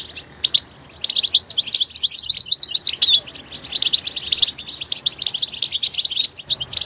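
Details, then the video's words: A goldfinch in its natural environment delivers a long, tumbling stream of high jingling notes, chirps and short whistles, barely pausing throughout. "soothing nature sounds of the Goldfinch"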